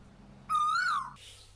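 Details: Asian koel, a resident cuckoo of Bangladesh whose call marks spring, gives a single clear whistled note about half a second long that slides upward and then drops away, over a faint low hum.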